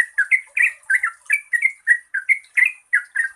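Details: Lively long-trilled song of a Yellow-vented bulbul, used to coax birds that sing little; short rich gurgling notes, rising then falling, delivered about four per second.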